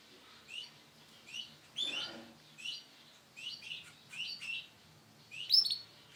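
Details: Sunkist-coloured male canary calling with brief, high chirps spaced unevenly. They grow busier and end in a sharp, louder note, with faint low background rumble.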